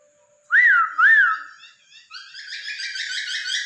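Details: Pet masked laughingthrush song used to trigger singing in another bird: two loud looping whistled notes rising then falling, followed by a rapid, jumbled twittering chatter that continues to the end.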